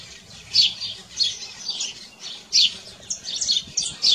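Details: Canary song in nature: fairly quiet high warbling punctuated by louder sharp chirp bursts, growing busier toward the end with rapid twittering notes.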